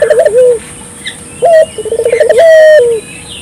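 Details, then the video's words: Barbary dove calling vigorously, played to prompt local doves to join in: a trilled coo run, a short rising note, then a quick bubbling series closing in a long steady hoot, over a quiet background. "suara burung puter gacor,merangsang burung puter lokal ikut gacor"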